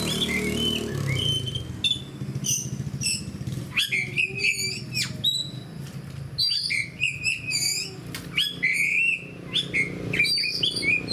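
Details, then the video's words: Kacer, the oriental magpie-robin, singing as a fighter bird in captivity: scattered bright whistles early, then dense bursts of chips, slurred whistles and trills, alongside a low humming background and occasional rustles. "SUARA KACER GACOR DAN FIGHTER"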